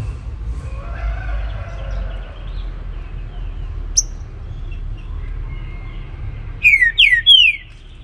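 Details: Baruc-style morning song of a trinca-ferro: a single sharp high chip midway, then near the end a burst of three loud downward-slurred whistles; steady low hum throughout.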